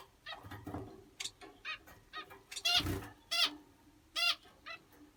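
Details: Finches calling, bright nasal harmonic notes given singly or in quick pairs, several within five seconds, one broadband rustling burst midway over low background noise.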